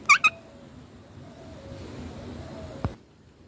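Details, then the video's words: Ringneck parrot giving two quick, loud, harsh screeches right at the start, each rich in overtones, followed by near silence with a faint low hum and a single soft click before the end. "Ringneck parrot"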